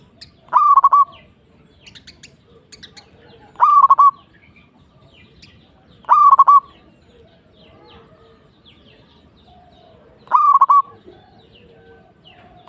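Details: Zebra dove of the local type gives short bursts of a few quick cooing notes, each burst roughly three seconds apart, with faint chirps and background rustle between.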